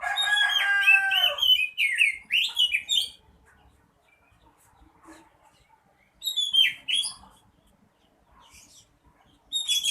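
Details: Vigorous song of an Oriental magpie-robin: a loud, rich opening phrase of layered whistles and buzzy notes, then a few sharp slurred whistles separated by long silences, with a final note at the end.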